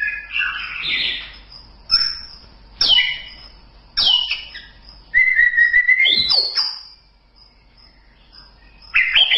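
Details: White-rumped shama delivering varied song: chattering opening, sharp downslurred whistles, a long level whistled note followed by a high rising flourish, then quieter passages and a final bright phrase.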